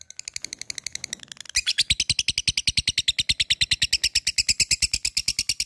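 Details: A labet calling out an opponent: quieter fast ticking turns abruptly into a loud, steady, rapid series of sharp, high, clipped notes that lasts for about four seconds.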